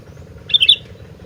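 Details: Gentilang, the sooty-headed bulbul, singing vigorously: a brief cluster of three or four bubbling whistled notes, the last slightly louder, against a faint steady hum.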